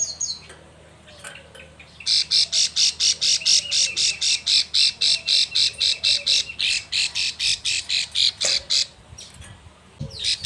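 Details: Female plain prinia in breeding condition calling the male: a fast series of harsh, buzzy, high notes, about four per second, running steadily for several seconds after a few faint downslurred notes.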